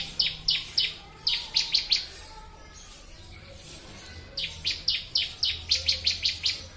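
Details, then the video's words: Ciblek, the Bar-winged prinia, sings for a bird-training master recording: clusters of piercing, falling chirp notes, a quiet gap around the middle, then a fresh, steady burst of repeated chirps. "Masteran burung ciblek"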